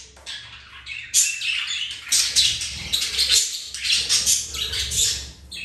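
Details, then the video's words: Pet budgerigars mating and flirting: fast scratchy chatter and squeaks building after a quiet start, with some low fluttering or movement sounds. "Budgies mating , flirting and playing"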